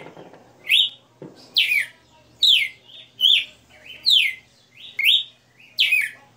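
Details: Red-cowled cardinal, a kept bird praised for a long "60 notes" song, singing live: clear whistled phrases that swoop up and then fall, repeated about every second in a steady melodic run.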